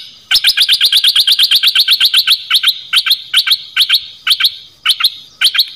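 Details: Dok taeng bird song used to train young birds and get them excited: a fast, loud series of sharp chirps at about three per second, slowing into spaced pairs of chips.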